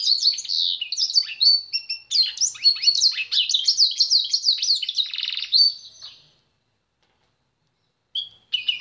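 A pintagol sings a fast, high, canary-like warble of twittering notes and a buzzy trill for six seconds, then pauses before a few more notes.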